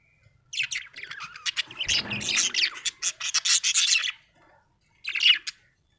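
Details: Budgerigar described as happy, chattering in a dense run of buzzy, scratchy warbles and chirps for about three seconds, then a short final burst after a pause.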